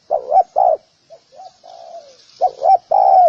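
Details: Spotted dove calling to lure other doves: two phrases of short cooing notes and a long falling coo separated by soft low coos.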